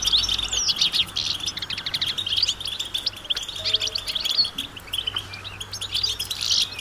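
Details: Many goldfinches chattering together outdoors, their mating and readiness calls used to push quiet males to sing. Bright, rapid, overlapping chirps and buzzy trills pour out nonstop, over a faint low electrical hum.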